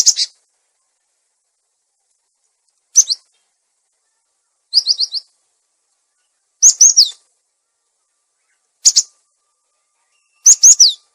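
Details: Cinereous tit lure call, also used as a master for caged birds that have fallen silent: short, sharp, high notes in clusters of two to four, repeated at uneven intervals of about two seconds, with nothing else heard.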